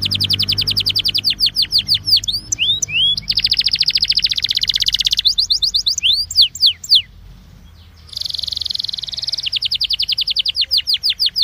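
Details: Belgian canary song used to warm up other canaries: fast rattling trills alternate with sweeping upslurred whistles and buzzy rolls, with a brief pause near the end before rapid trilling resumes.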